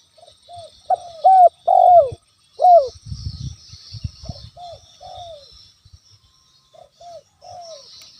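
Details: Lure recording of a spotted dove calling freely to provoke a rival: a quick run of four loud falling coos, a burst of low rumble, then a softer string of five gentle coos.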